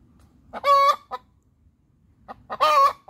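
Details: Hen giving its laying song: two loud harsh drawn-out squawks, each trailed by a short clipped note, about two seconds apart, over faint background rustle.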